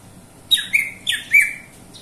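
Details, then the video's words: Greater green leafbird (cucak ijo) giving two quick bursts of rich, high, slurred notes, each swooping down then levelling into a bright whistle, about half a second apart. "suara burung cucak ijo"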